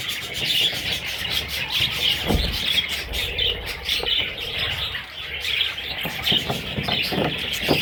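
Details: Several baby parrots chirp nonstop in high, thin squeaks, the chorus pulsing irregularly with brighter peeps, while occasional rustles and soft thuds, perhaps wing movements, sound below.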